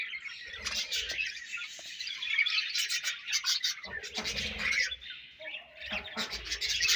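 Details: Budgies in a colony chatter steadily: a dense stream of squeaky, buzzy chirps and warbled phrases, rising and falling in loudness throughout.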